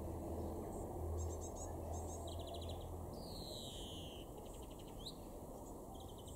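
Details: European greenfinch singing in a garden in Weener, East Frisia, in June: bursts of rapid high twittering trills, then a long wheezy descending nasal note, more trills after it, over steady low background rumble.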